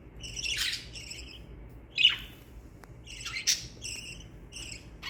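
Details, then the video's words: Budgerigars kept as pets give happy chirps: scattered harsh, buzzy notes in short clusters separated by pauses, with one louder sharp squeak near the middle and a low hum behind. "Budgie sounds to make your budgies happy"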